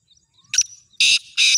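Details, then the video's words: Black francolin, a kept bird offered for sale, giving its full call: a faint rasping note followed by two loud, harsh, grating bursts about half a second apart, with no other sounds. "Kala Teetar Ghangas Full Awaaz wala"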